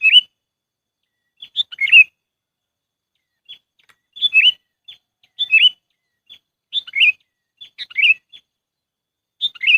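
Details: Kutilang, the sooty-headed bulbul, giving a lure call for trapping: lively bubbly whistled phrases repeated roughly every second, mixed with short sharp chip notes, clean recording with no other sounds.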